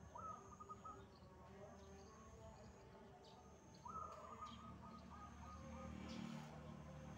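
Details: Wild zebra dove in full song, two phrases about four seconds apart, each a sharp upward note followed by rapid soft rolling coos, with a steady faint high-pitched whine and low noise behind.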